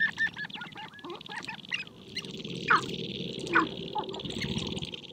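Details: Spring courtship gathering of sharp-tailed grouse on a prairie hilltop, birds dancing and fighting for females; scattered squawking cackles and a few loud sliding whistled notes over a constant buzzy background hum.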